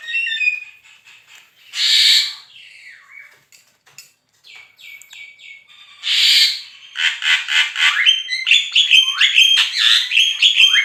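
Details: Black-winged starling, recorded as training material for songbird contests: two loud rasping screeches separated by soft notes, then a busy chattering sequence of sharp whistled and squeaky notes.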